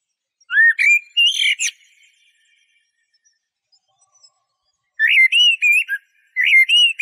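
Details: Eurasian blackbird song: a rising mellow whistle with a high twittered ending, then after a three-second pause two more flowing whistled phrases with faint high squeaks.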